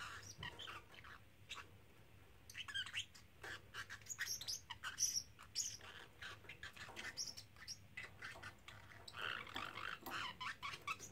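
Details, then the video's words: Three-month-old pet parrotlet, male, repeating "Silly Birdie Bird", "Do You Want to Come Out" and other words; scratchy, squeaky speech-like chatter in uneven bursts with sharp clicks throughout and a soft indoor hum. "Talking Parrotlet"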